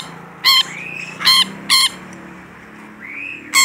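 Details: Rainbow lorikeet, a caged bird described as in full voice, giving loud harsh broadband screeches in four separate bursts, with soft rising whistled notes between them.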